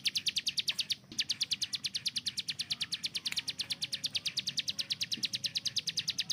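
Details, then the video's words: Long, steady machine-gun volley from a hill prinia used as a master bird: sharp high notes pouring out at a fast even pace for over six seconds, with one brief hitch near the start. "CIBLEK GUNUNG || Melatih Speed dan Tembak Burung Gacoan"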